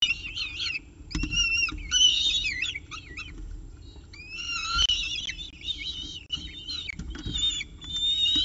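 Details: At 7:59 am on 24 October 2018, a Peregrine falcon at the CSU Orange nest deals with a pigeon. Irregular harsh, wavering wails and chittering notes are heard, some drawn out and some clipped. There are quieter stretches between them.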